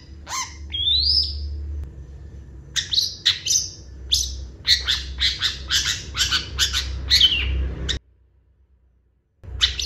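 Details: Long-tailed shrike in energetic song full of varied fill-in phrases, said to draw quick responses from other shrikes: a rising whistle, then a rapid run of harsh, buzzy chattering notes, breaking off into near silence before resuming.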